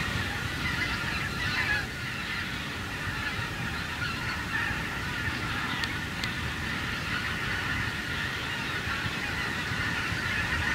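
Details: Wild geese flying over a harvested cornfield: a dense, unbroken chorus of overlapping nasal honks from many birds, with a steady low rumble, probably wind, underneath throughout.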